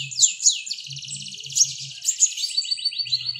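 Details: Vigorous song of a mountain white-eye, a thin, high-pitched rapid chattering warble that runs without pause, turning into a quick series of descending slurred notes near the close; faint low thumps beneath.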